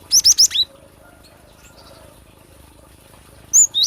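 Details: Cinereous tit, used to lure birds or train song: four rapid high whistled notes with a buzzy edge, a long quiet pause with faint background tones, then two more whistled notes.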